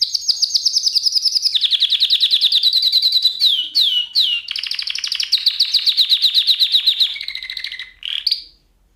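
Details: Canary singing for canaries to learn: extended fast rolling trills that step down in pitch, a few sharp downward sweeps, more rapid rolls and a short lower closing phrase.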